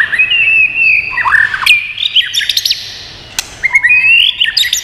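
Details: White-rumped shama singing in many voices, a song used to stimulate and train birds. Long sweet whistled notes alternate with quick down-slurred flourishes and a single loud click.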